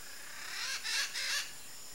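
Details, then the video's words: Red-shouldered macaw, free-flying wild bird: three harsh, raspy, broadband squawks in quick succession with a steady hiss of background noise. "CANTO da MARACANÃ-PEQUENA (DIOPSITTACA NOBILIS), RED-SHOULDERED MACAW"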